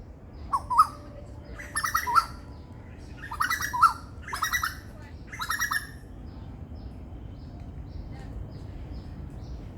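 Asian koel giving five harsh, stuttering bursts of rapid notes over six seconds, then falling quiet against a faint background hiss.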